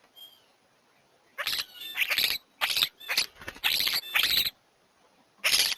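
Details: European starlings fighting over a prized place at a bird feeder; a run of harsh, hissing, grating bursts, about six in quick succession, then one more after a gap, over a quiet background.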